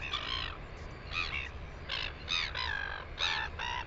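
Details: Northern royal albatross, New Zealand, 9 September 2020: a burst of short, rough, harmonic squawks in uneven succession, some overlapping, against low wind-like rumble.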